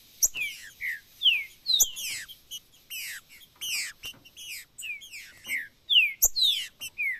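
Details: Macheado-style singing and piado calls of the Green-winged saltator, a brisk run of clear downslurred whistles repeated roughly twice per second, interspersed with high sharp chips and short sweeping notes, some overlapping.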